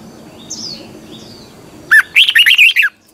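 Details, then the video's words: Caged red-whiskered bulbul delivering a morning song for training: after faint distant chirps, a lively phrase of about six quick, slurred whistled notes. "Luyện chào mào hót sáng, hót hay - Giọng kép xoắn tít"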